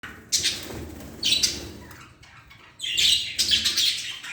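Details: Budgerigars that have started breeding chatter in bursts of high, scratchy warbles and chirps.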